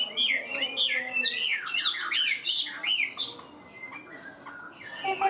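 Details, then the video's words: Chinese hwamei singing in its cage in a high style, steady and quick to start. Loud, tumbling whistled warbles fill the first three seconds, followed by quieter scattered notes and a final rising flourish. "Chim họa mi hót cao cầu, ra mỏ nhanh ổn định"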